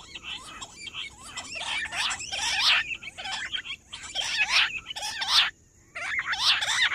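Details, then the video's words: Perdicula argoondah, the rock bush quail, calling nonstop on 18 July: rasping, chattering bursts in overlapping phrases with short gaps, one near-silent pause before the calling resumes, and a thin steady high tone behind. "Nonstop Voice Perdicula argoondah Rock bush quail jungle battair quail hunting quail sound"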